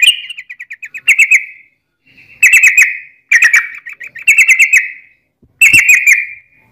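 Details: Yellow-vented bulbul in top singing form giving a long rolling fighting song meant to provoke other bulbuls to answer: a quick stuttering run of short notes, then bursts of bubbly, chattering chirps separated by short pauses, no other sounds.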